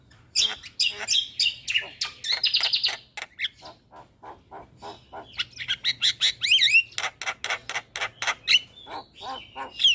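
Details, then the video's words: Starling singing, played to coax reluctant kept starlings into song: dense chatter of clicks and harsh notes, interspersed with bright whistled phrases and rapid buzzy bursts, steady and lively throughout. "Terapi Semua Jenis Burung Jalak Sekali Putar Jalak Macet Bunyi Seketika Nyaut"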